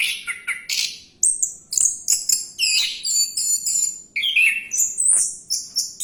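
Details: An orange-headed thrush sings on while diving, with short chattering notes, bright high whistles, dense scratchy bursts and a lower buzzy slurred phrase, followed by high sliding whistles.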